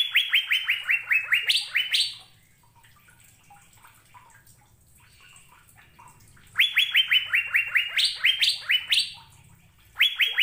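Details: ['Asian fairy-bluebird song made as training material for caged songbirds: a quick burst of upswept whistled notes, climbing higher near the end, then about four quiet seconds before the same fast series returns.']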